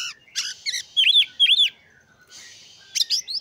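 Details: Oriental magpie-robin song intended to excite rival birds into breeding mood and singing: buzzy notes, two loud arched whistles, a quieter hiss-like stretch, then rising chirpy slurs.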